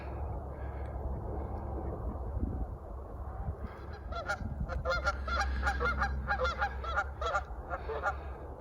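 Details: Several upset geese in a skirmish at a pond, Sunday morning about 10:30, 12 April 2020: loud, nasal honks overlapping in rapid bursts about three a second, over a steady low rumble of wind.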